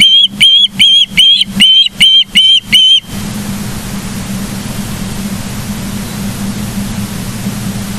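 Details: Osprey on a nest cam in Charlo, Montana, 09/07/2023 at 09:42, gives eight loud, piercing whistled chirps in quick, regular succession, followed by several seconds of only a low hum and hiss.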